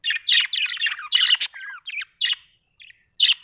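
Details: Budgerigar chattering rapidly: raspy, buzzy chirps run together, with a few looping whistled notes and separated chirps near the end.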